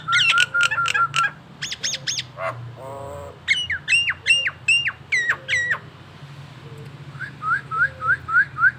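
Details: Collared kingfisher calling in the morning in Indonesia, giving the ngekek call: a mix of harsh, clipped notes with bright harmonics, some short rising-falling whistles, and a closing run of five quick upslurred notes.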